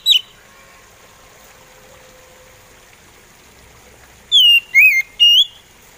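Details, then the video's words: Slow-style song of an oriental magpie robin (kacer), played to stir other magpie robins into song; a single whistled note, a long quiet pause, then three bright, slurred whistles close together. "SUARA SLOW ORIENTAL MAGPIE ROBIN BIKIN POCI KACER ON"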